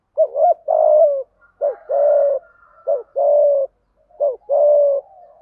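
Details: Spotted dove decoy calling: low, hollow coos, each a brief note followed by a longer sustained coo. The pattern repeats four times, closely spaced, with clean quiet gaps between phrases.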